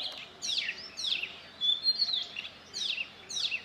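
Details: A male Oriental magpie-robin in Central India, near Satpura, repeats rich, rapidly sweeping whistled phrases about every half second to second, each a quick tumbling flourish of bright notes over a quiet background.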